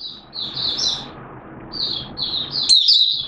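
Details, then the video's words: Oriental white-eye from Malaysia in 'buka sing' open song, Singapore, warm humid weather, 29 March 2023: softer high twittered phrases over a steady low background hiss, ending with a louder sharp chatter. "Malaysian Mata Puteh Buka Sing"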